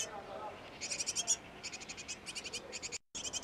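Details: Nestlings in a great tit nest box, tended by a parent pair: after a quiet opening, short trains of fast, thin, high chirps start and stop, then cut off briefly before resuming.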